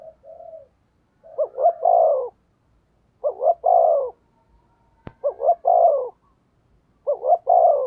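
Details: Decoy spotted dove cooing to lure wild birds: four low phrases about every two seconds, each two quick rising notes then a long, falling, hoarse coo; a single sharp click midway.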